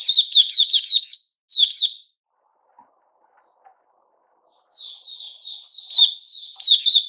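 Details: On 29 August 2021 a Puteh Raja white-rumped shama rattles off a rapid series of loud, sharp, repeated notes, falls silent for a few seconds, then resumes with warbled whistles and ringing bursts.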